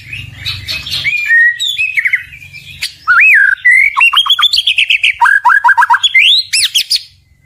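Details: Murai batu, the white-rumped shama, in song meant to stir rival birds to reply: soft chattering notes, then loud looping whistles and a rapid series of repeated downward-slurred notes ending in high sweeping flourishes.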